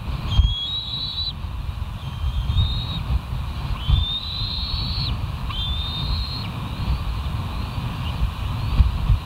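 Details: Wild bald eagles at the West End nest, recorded at 06:15 on 07/03/2023: four drawn-out, thin whistled notes, each rising then levelling, about a second long, over a loud steady rumble of wind or distant traffic.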